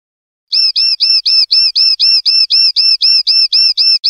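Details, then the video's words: Linnet, common linnet, singing a clean-style (limpio) phrase from 2021/2022: a steady, rapid repetition of pure whistled notes that bend downward, about four per second, after a short silence. "CD PARDILLO LIMPIO 2021/2022"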